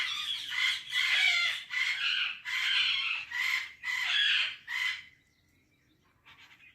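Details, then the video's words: Indian parrot giving a string of about seven harsh, speech-like bursts, each roughly half a second long and evenly spaced, then a short pause and a softer final phrase. "Indian Parrot Talking Video | Mitthu Tota Ki Awaz"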